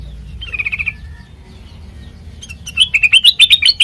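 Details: Sooty-headed bulbul song used as a lure for training birds: a soft trilled phrase and faint whistle, then after two quiet seconds a loud burst of fast rising chirps.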